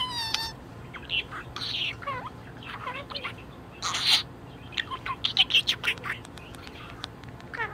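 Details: Budgerigar in high spirits producing a mix of squeaky notes, scratchy chirps and rapid clicking, with a short harmonic whistle at the start and a burst of ticking clicks later.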